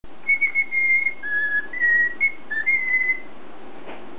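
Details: Pet cockatiel whistling a learned tune, the Final Fantasy victory fanfare, in clear pure notes that run level, dip lower, then climb back up over about three seconds, over a faint steady hiss.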